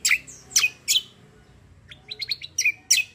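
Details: Black-winged myna in a fighting-style rolling song: loud piercing chirps and whistled slurs, roughly three per second, with short quieter twittering notes between them.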